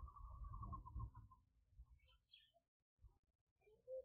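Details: Purple-crested turaco in a garden in White River, Mpumalanga, South Africa, where it comes to feed in the mornings; a quick run of hollow, even notes lasting about a second and a half, followed by brief high chirps from small birds.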